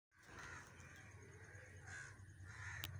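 Crows giving harsh, hoarse caws in three bursts over a few seconds, with a steady low background rumble.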